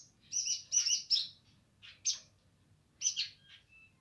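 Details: Streaked spiderhunter in gacor nganar song: a few clustered bursts of high, harsh chirping notes separated by short pauses, ending with a thin whistled note over a faint low hum.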